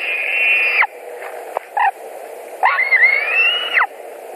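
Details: White-tailed eagles at a nest in Latvia, 11 July 2020, 21:09, as one adult returns to the nest where the other waits; two long, drawn-out whining notes with a falling end, separated by soft clicks.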